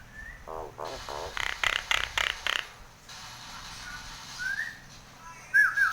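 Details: Nias hill myna in breeding condition, head-bobbing: short nasal notes and a rapid series of harsh broadband bursts, then a rising whistle and a sharp looping whistle at the end, with low hum throughout.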